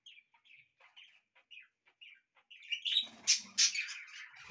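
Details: Pet budgies in a house: a series of short clipped chirps, about three a second, builds into loud harsh screeches and a dense jumble of scratchy chatter.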